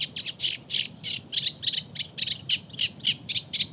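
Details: Eurasian reed warbler (Acrocephalus scirpaceus) song, Audierne Bay, Finistère, Brittany, France, late April–early May 2022: a steady, chattering run of scratchy mid-high notes, about three to four per second, over faint low rumble.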